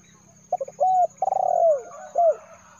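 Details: Repeated spotted dove call for luring: stuttering opening notes, a level coo, a long vibrating coo that drops in pitch, and a last curved coo, over a faint steady low hum.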